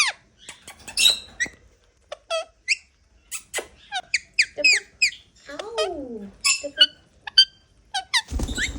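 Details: Molting pet Indian ringneck parakeets chattering indoors: a rapid string of short, sharp, high squeaks and chirps, with a brief low human murmur in the middle and a rustle at the end.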